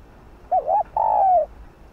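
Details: A single spotted dove phrase of the kind used to provoke decoy birds into calling: a quick wavering double note, a short pause, then one long smooth coo gliding gently downward.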